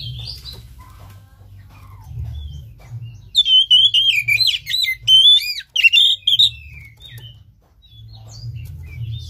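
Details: Caged-bird lure song of an Oriental magpie-robin, for a bird off song and out of breeding mood: after a quiet pause, a rich burst of high, rapidly shifting whistles and slurs lasting about three seconds.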